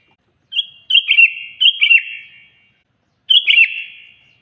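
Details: A sooty-headed bulbul calling to a rival with loud song: an opening short note, then three bubbly warbled phrases in quick succession, a pause, and one more phrase, all ringing with echo.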